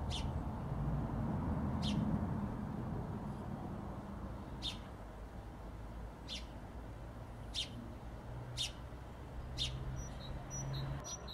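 A sparrow gives short, sharp chirps, one roughly every second or two, over a steady low rumble of distant traffic.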